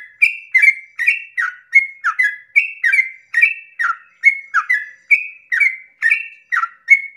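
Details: Sooty-headed bulbul in long rapid 'ropel' song at dawn, used to provoke other bulbuls: lively repeated whistles stepping between a high level note and a lower falling one, each with a scratchy onset.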